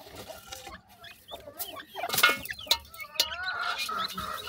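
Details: Partridge chicks peeping: scattered rising chirps and a few sharp high notes among level harmonic calls, with loud rustling and knocking bursts in between.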